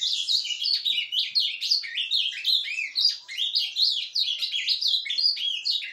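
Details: Ultramarine grosbeak singing in surdina, a soft subsong style, recorded 10 January 2023: continuous rapid, rambling warble of varied chirps and short slurred notes, rising and falling quickly, without pauses.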